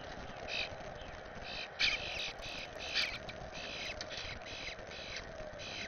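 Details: Young Eastern Bluebird, one of four fledglings from the first clutch visiting a yard with its parents and being fed, giving harsh, raspy begging calls in short bursts about once a second over steady hiss.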